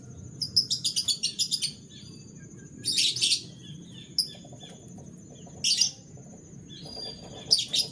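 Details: Canaries singing in the morning: a quick run of about ten sharp, high trilled notes, then bright buzzy bursts near three, five and a half and seven and a half seconds, over a steady high whine and low background hum.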